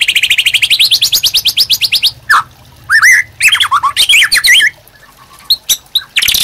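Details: Master song of a white-rumped shama for training caged birds: a fast, even series of rising whistled notes for two seconds, then varied, swooping phrases and scattered short notes.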